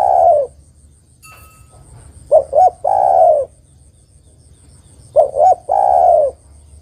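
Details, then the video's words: Female spotted dove calling the male: two short rising coos, then a long drawn, slightly falling coo, repeated about every three seconds. A tail of an earlier coo opens the clip, with a low steady hum behind. "TEKUKUR BETINA MEMANGGIL JANTAN ini PALING PANDAI membuat TEKUKUR JANTAN bunyi"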